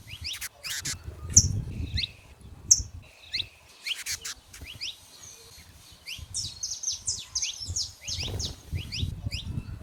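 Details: In the wild, free saffron finches call and sing: scattered clicks and sharp chirps at first, then a dense run of bright swept notes near the end, with low rumbling noise underneath.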